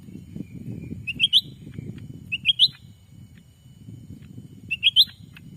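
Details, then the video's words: A black-capped bulbul lure call from the Sumatran forest: three short runs of rising chirps, each of three notes, spaced a second or more apart over a low, steady rumble. "suara asli pikat cucak ranting"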